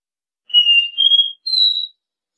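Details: Copper seedeater, a three-note do-re-mi song used to teach young birds: three clear whistled notes, the first steady, the second slightly higher and wavering, the third highest and pure, in a clean recording.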